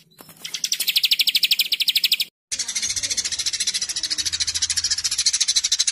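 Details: Murai batu, the white-rumped shama, delivering a rapid tembakan volley for training caged birds: a fast, steady trill of sharp high notes, a sudden break, then a hissing, rattling rapid series.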